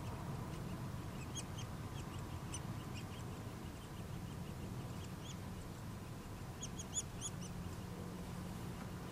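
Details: Nuttall's woodpecker chicks being fed give thin, high begging calls in quick scattered bursts over a steady low rumble of background noise.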